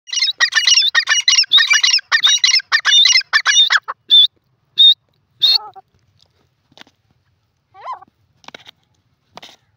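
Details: Grey francolin (teetar) calling: a rapid run of loud, harsh, ringing notes repeated for about four seconds, then a few spaced single notes and faint distant calls against a quiet background.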